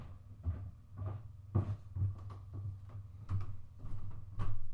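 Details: Indoor handling noises: a series of dull low thumps and knocks, roughly two per second, over a low hum, with no animal calls heard.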